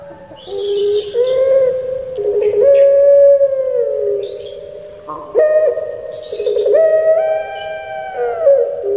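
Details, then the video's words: Kept Barbary dove of the puter pelung type, with a 'crying' (menangis) song style, gives long, drawn, hollow coos that hold steady, then bend up and down. Each phrase lasts several seconds and two long phrases are heard, with faint hissing bursts between them. "𝙋𝙪𝙩𝙚𝙧 𝙋𝙚𝙡𝙪𝙣𝙜 𝙎𝙪𝙖𝙧𝙖 𝙈𝙀𝙉𝘼𝙉𝙂𝙄𝙎 // 𝙋𝙪𝙩𝙚𝙧 𝙇𝙖𝙣𝙜𝙠𝙖𝙝"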